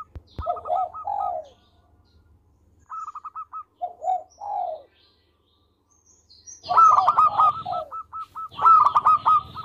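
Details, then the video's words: Local Indonesian zebra dove (perkutut lokal) singing actively and melodiously. A quick run of short, clipped staccato notes drops into lower rolling coos. The phrase repeats several times, and the final two phrases are louder and fuller. "Perkutut Lokal Gacor Suara Merdu"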